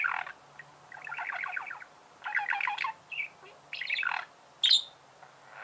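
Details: Budgerigar warbling in separate phrases: rattling buzzy chatter, short squeaky notes, and one piercing high squeal near the end, over a faint low hum.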